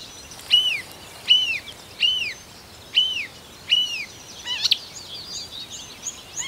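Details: Marsh warbler from Russia repeating a clear arched whistle, rising then falling, five times at under one-second intervals, followed by a quick burst of mixed high twittering notes over a quiet hiss.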